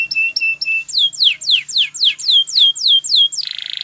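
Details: Spanish Timbrado canary song for training, starting with three steady whistled notes, then a regular series of loud downward-sliding sweeps about four per second, closing with a buzzy trill.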